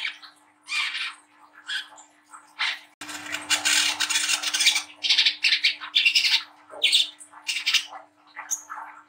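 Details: A young brown-throated sunbird gives high, sharp, scratchy chattering phrases in uneven bursts, roughly one a second, over a steady low electrical hum; the recording serves as a lure to make young birds sing.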